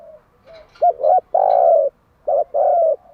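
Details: Spotted dove morning cooing, a recording played as a decoy to lure and stimulate trained doves to coo: soft low opening notes, a quick double coo, a long mellow coo, a pause, then a short coo and another long one.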